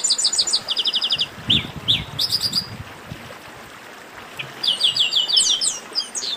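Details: Chestnut-capped blackbirds in a noisy chorus, played to stir up singing birds: rapid runs of high, bright chirps repeated in bursts, a quiet gap in the middle, then more quick chirp series near the end.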